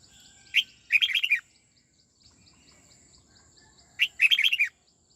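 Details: Two matching phrases from a caged red-whiskered bulbul trained in the twisting '89' song style, each a clipped sharp note then a rapid tumbling warble, about three seconds apart, with a faint steady high tone behind.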